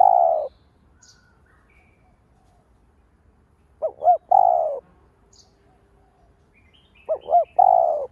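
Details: Lure-bird spotted dove cooing to provoke other doves: a trailing coo, then two phrases about three seconds apart, each made of a pair of short hooked notes and a long soft coo.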